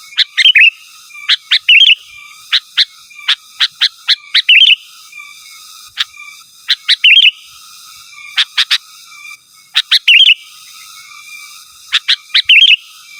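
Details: Sooty-headed bulbul, an energetic singer calling to rivals, repeats short bubbly fluty phrases every second or so in a steady, insistent series, with thin high whistles behind.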